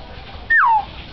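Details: Single clear whistle from a common hill myna that imitates a man, a woman and a boy, held briefly then gliding down in pitch, in a quiet room.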